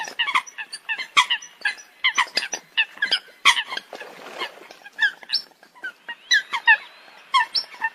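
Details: Coots calling together, a dense run of clipped honking notes, some paired or in short clusters, loud bursts alternating with brief lulls near the middle.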